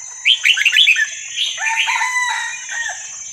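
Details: Wild Red-whiskered Bulbul from Vietnam, recorded for playing to young birds in training: bright whistled notes rise and fall in quick slurred phrases, followed by lower, drawn-out warbling, over a steady high hiss.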